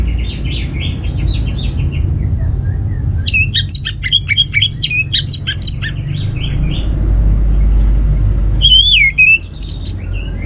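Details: Orange-headed thrush singing as a lure for other birds: a buzzy trill, then fast, rich stretches of varied whistles and chips, and a final looping whistled phrase, with steady low background hum.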